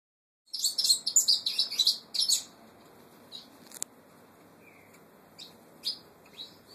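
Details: Brown saffron finch, known locally as the Peruvian canary, giving a burst of rapid, high chirping notes for about two seconds. A few isolated sharp chirps and a soft whistled note follow over a quiet background.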